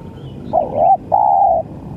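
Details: Spotted dove call of two steady low coos, the first slightly wavering, the second longer and even, with faint background hum.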